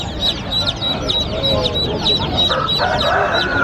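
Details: Many colourful baby chicks chirping as they run and play: a dense chorus of short, high, falling peeps repeated rapidly and overlapping, with a steady low background rumble throughout.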